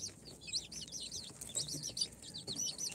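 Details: Four-day-old incubator-hatched chicks of mixed breeds (Sultan, Golden Sebright, Cochin, booted) peeping together: many thin, high, arched chirps overlap continuously, with a faint low rumble underneath.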